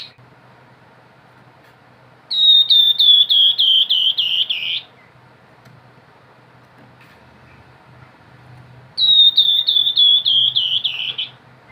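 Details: Grey-headed babbler singing lively nyiul-style phrases. Two separate bursts each hold about eight quick, bright whistles that slur slightly down in pitch. Long quiet gaps fall between them, with a faint low hum underneath.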